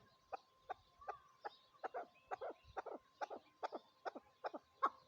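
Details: Chukar partridge calling with spaced, throaty clucks, roughly two or three each second, fairly even in pitch against a quiet background with a faint steady tone.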